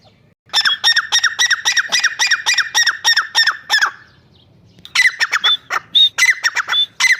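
A grey francolin gives a run of loud, harsh, ringing notes about three per second. After a short pause comes a second burst with squeakier rising notes.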